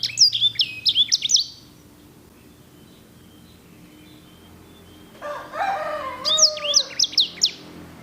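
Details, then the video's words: Sanger (edel/herda) singing actively, loud and clear: high whistled notes with rapid downward sweeps in quick bursts, a pause, then a lower warbling phrase and a return to the high sweeping notes. "KICAU SANGER GACOR JERNIH VOLUME PEDAS!"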